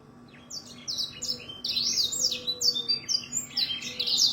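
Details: Canary singing a continuous, high warbling song of fast slurred trills and rising and falling whistles, growing louder toward the end, with a faint low hum beneath.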